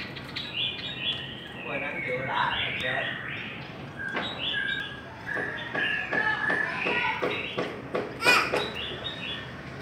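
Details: Chinese hwamei singing in a singing contest: loud, varied phrases of rapid whistled notes and slurred trills with quick pitch jumps, broken by short pauses, plus lower steady whistled notes and a faint background hum.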